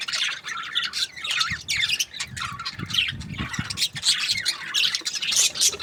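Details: Several budgerigars in breeding season chirp and squawk together, a lively jumble of short, high, scratchy notes in quick bursts, with some low thumping knocks in the background.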